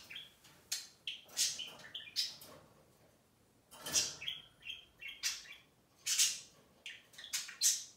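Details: Budgie chatter between two pet birds, fast clicks and high squeaky whistles in clusters, with a brief pause midway before the chatter resumes.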